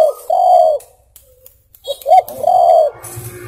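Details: Spotted dove cooing, a recording for luring birds and as a master song: a low drawn-out coo, a pause, two short clipped notes and another long coo.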